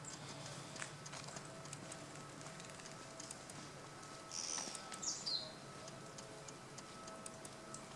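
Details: An olive-backed pipit, while bathing in water, gives a few thin, very high call notes midway through, the last slurring downward, over soft background hiss and light pattering.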